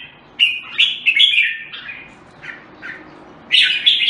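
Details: Short bubbling phrases from a red-whiskered bulbul, a quick cluster of warbled notes, softer notes after, then a loud closing phrase.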